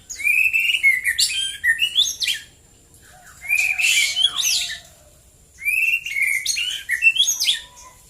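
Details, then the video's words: Morning song of a white-rumped shama: three loud phrases, each a whistled opening note followed by rapid scratchy, jumbled high notes, with quiet gaps between them. "KICAU BURUNG MURAI BATU DI PAGI HARI"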